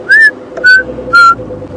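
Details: Chinspot batis calling in the African bush on a cold early morning around sunrise, 4 October 2016: three clear, pure whistles about half a second apart, each a little lower than the last, over faint background hum.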